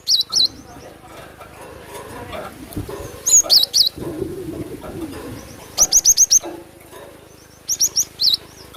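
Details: Cinereous tit (glatik batu) song used as a lure for attracting birds: high, piercing staccato notes in bursts of three to five, with wavy flourishes, spaced by quieter gaps with soft background noise.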